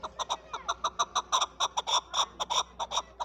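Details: Pakistan's national bird, the chukar partridge or chakor, delivering a brisk series of ringing clucks, roughly four per second, with a faint hum underneath.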